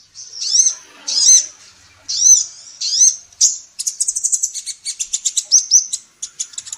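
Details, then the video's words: Female sunbird (kolibri ninja) in a training recording for songbirds: several high arched chirps, then a fast, shimmering run of tiny ticking notes that rises into a trill. "SUARA BURUNG KOLIBRI NINJA BETINA GACOR"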